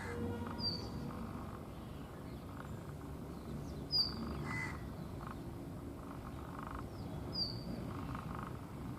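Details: Brown rock chat calling slowly while dancing at Tibbi, Hanumangarh, India, in 2019; three short, high, sharp whistled notes spaced roughly three seconds apart over a steady low rumbling background.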